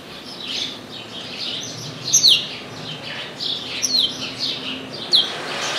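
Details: Chestnut-capped blackbird in an orange tree: soft high warbling punctuated by three crisp falling whistles spaced about one and a half seconds apart, over a steady low background hum.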